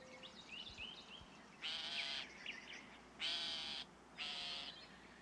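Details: A Northern Shrike gives three harsh, grating rasps about a second apart, each roughly half a second long, after a few faint, thin chirps.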